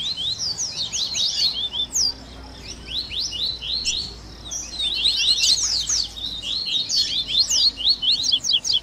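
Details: Mixed coleiro chorus ('baderna') of Double-collared seedeaters meant to excite captive males: two bouts of fast high slurred and chipping notes separated by a quieter stretch of several seconds.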